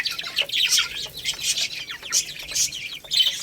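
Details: Baby chicks chirping while eating rice: dense, overlapping high-pitched peeps and tweets in bursts, with soft pecking clicks.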